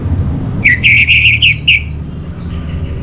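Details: Orange-headed thrush song used to lure and tutor caged birds. One quick phrase of about six bright, chattering whistled notes in rapid succession fades into softer echoes over a low hum.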